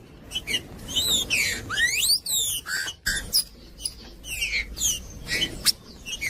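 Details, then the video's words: Trinca-ferro, the green-winged saltator, singing hard to stir up cold birds and coach chicks; strong whistled notes sweep sharply up and down in dense clusters, then thin out into shorter slurred whistles with brief gaps. "TRINCA FERRO CANTANDO / ESQUENTAR TRINCA FERRO FRIO"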